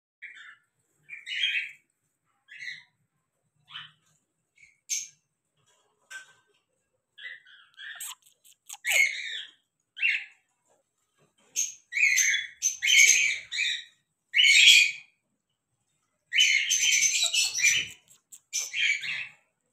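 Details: A male cockatiel at play gives bursts of bright, chattering whistles and harsh squawky notes, growing busier toward the end.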